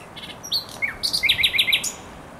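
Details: Thrush nightingale song phrase from the Żerański Canal, 24 April 2022: a few sharp chirps and a downward slur, then a fast run of loud, harsh, repeated notes.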